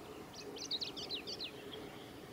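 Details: Male Chestnut-eared Bunting singing at Yashimagahara Marsh on 15 July 2018: a quick high phrase of short chirpy notes that jump and slide, ending in a softer fading note, over a steady low background hum.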